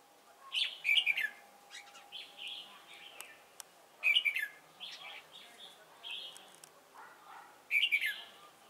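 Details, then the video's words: Decoy red-whiskered bulbul at a Chùa Hương trapping site, Vietnam, 28 November 2017: three loud bursts of sharp descending whistles about every three and a half seconds, softer warbling between, faint speech behind. "Bẫy chào mào Chùa hương chơi mau mỏ"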